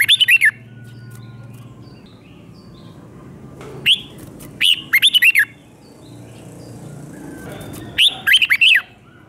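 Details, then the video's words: Red-whiskered bulbul doubled five-syllable song used to teach young birds; three phrases of rapid, clear whistled notes, each phrase of three to five notes, spaced about four seconds apart. "เสียงนกกรงหัวจุกเบิ้ล2 เบิ้ล3 เพลง 5 พยางค์"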